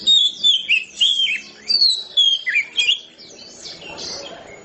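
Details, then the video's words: Kacer, the Oriental magpie-robin, delivering ngeplong-style song: bright whistled notes and slurred sweeps in rapid bursts for about three seconds, then fading to softer, scratchy chatter and faint background rustle. "kacer ngeplongnya kayak gini"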